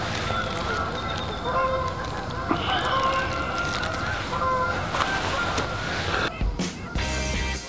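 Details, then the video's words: Migrating geese in October near Freeport, northern Illinois, heard in the background on a bike route: faint repeated nasal honks in several short bursts, under steady wind or road rumble and background music. "I don't know if you can hear the geese in the background but there's a lot of migrating birds in this area especially this time of year"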